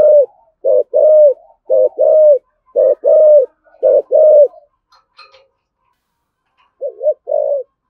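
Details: Spotted dove, 'thổ sấm' voice, cooing in 'thúc gù' style: a brisk run of doubled short coos each followed by a longer rolling note, then a pause with a faint click before two more coos.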